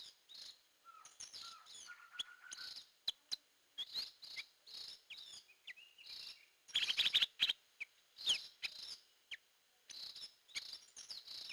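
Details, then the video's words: Hair-crested drongo lure call: long busy sequence of sharp chips, metallic twangs and short whistles, a low fluttering whistle early on, and a loud harsh chattering burst in the middle. "Suara Pikat Burung Gentolang / Srigunting Kantil"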